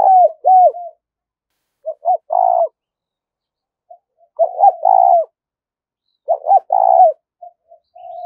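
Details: Spotted dove cooing as a trapping lure: repeated strong two- and three-note coo phrases with falling ends, in bursts about every two seconds, then faint short coos, in an otherwise quiet setting.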